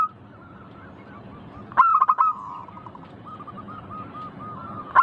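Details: Cooing of a local Indonesian zebra dove, used to prompt quick singing: soft drawn-out coos, then a loud burst of quick stuttering notes near the middle and a brief louder note at the end.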